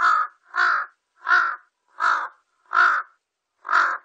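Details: Large-billed crow calling: six harsh, hoarse caws, each about a third of a second long, given at an uneven pace of roughly one every 0.6 seconds, clean with no other sounds.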